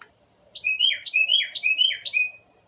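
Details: Male Carolina wren (Thryothorus ludovicianus) in Ocala National Forest sings loud, ringing, down-slurred phrases, about four in two seconds, over a steady high insect-like hiss; it calls to a person daily for mealworms or attention.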